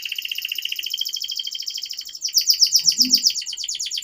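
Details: Singing canary used as a lure for young canaries: a fast buzzy rolling trill that turns louder and higher partway through, with a faint low thump in the background.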